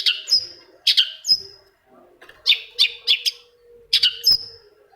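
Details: Long-tailed shrike singing to provoke another shrike into replying: grouped bursts of harsh, scratchy notes, each ending in a thin whistled tail, repeated in clusters of two to four with short pauses between.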